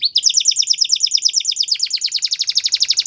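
A Belgian canary sings a fast, high, rolling trill of repeated notes, about fifteen a second, shifting to a slightly different note pattern halfway through.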